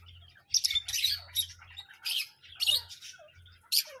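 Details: Parrot producing loud, grating squawks in separate bursts about every second, each note harsh and broadband, over a faint constant low hum.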